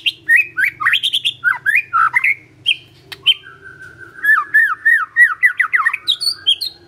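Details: Magpie-robin singing fast, varied whistled phrases with downward-slurred notes, then a rapid rhythmic series of repeated whistled figures, ending on higher sweeping notes.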